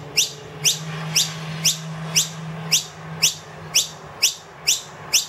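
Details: Wild noisy miner with two young, loudly requesting food indoors after the feeder emptied; clear sharp upslurred chips repeated roughly every half second, with a steady low hum.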